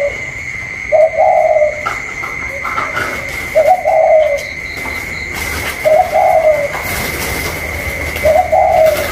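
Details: Spotted dove, 'cu còi' calling style, a caged bird contesting a wild one outdoors, 27 October 2022; soft rounded coos every two seconds or so, with a thin steady whine and some rustling noise.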